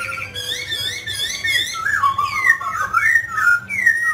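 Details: Mutant grey laughingthrush singing and dancing, giving varied flowing whistled phrases that wander up and down, with slurred loops in the second half; low background hum.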